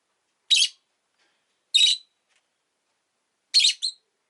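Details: Rosy-faced lovebirds, two together at an entrance, give three harsh shrill chirps over four seconds, the last followed by a quick second note.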